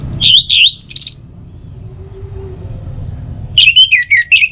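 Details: Song of an orange-headed thrush, meant to stir other birds into singing morning and evening: clear whistled phrases open the clip, a low murmur follows, then a run of varied, descending slurred notes returns.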